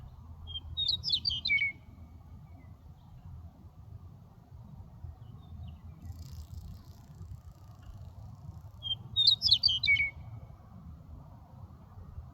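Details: Meadowlark in Aurora, Colorado, sings two bright, bubbling phrases about eight seconds apart, each tumbling down to a slurred whistle, over a steady low rumble of wind or distant traffic.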